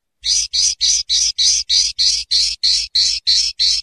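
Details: Common linnet singing a quick series of rough, buzzy notes repeated about three per second, steady and regular throughout.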